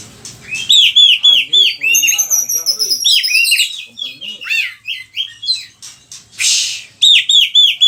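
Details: Oriental magpie-robin in full vigorous song, used to teach its repertoire to other birds: fast repeated downslurred whistles, long descending high trills, buzzy rasps and a brief noisy burst, loud and continuous.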